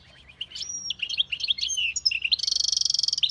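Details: Hybrid songbird in full song, mixing thin whistles and quick chattering notes, then breaking into a long, rapid, buzzy trill at the end.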